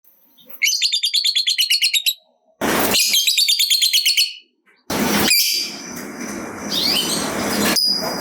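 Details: Lovebird giving a long trill, 'ngekek panjang', used to stimulate other lovebirds to sing. It produces two runs of rapid, high, evenly pulsed chattering notes, each lasting about one and a half seconds, followed by loud hiss and noise.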